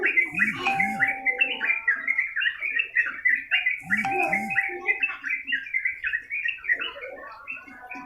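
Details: Yellow-vented bulbul pouring out long-running song meant as tutor material: dense chattering, bubbling notes delivered nonstop, with two pairs of deep looping sounds and a held whistled tone underneath near the start and middle.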